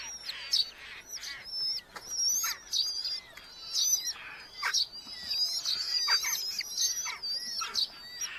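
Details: Red-footed falcons in a nest box of a large colony in Hungary, July 2025, beetles being delivered: quieter high trilling whistles and squeals mixed with frequent clicks and scraping noises.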